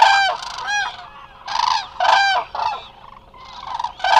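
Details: A short burst from a crowd of resting Eurasian cranes at the Hula Nature Reserve, Israel, on a live camera: loud trumpeting honks, some clipped and some drawn out, following each other closely.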